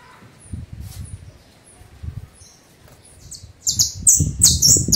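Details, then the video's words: A domestic Belgian canary (canário do reino) gives a few thin, high chips, then bursts into loud, rapid, buzzy trills near the end over a low background rumble. "CANARIO DO REINO cantoria LINDA vc TEM canario SEU canta LINDO"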